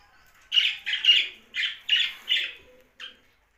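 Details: Young budgerigar squawking in a run of six harsh, buzzy notes about half a second apart, then a final short chirp, in a quiet setting.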